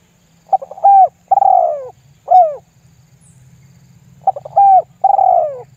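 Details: Spotted dove lure call in the 'lambung guk' style, used to make other doves call along: quick stuttered notes, then two drawn-out mellow coos, a single falling coo, and the phrase again after a pause, over a low steady hum.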